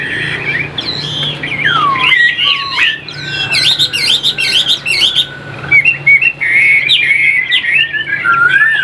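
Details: Chinese hwamei, a caged bird for sale in Vietnam, pours out a rich, tangled song of warbled twists, a long steady whistle, and bright chattering flourishes that keep changing pitch.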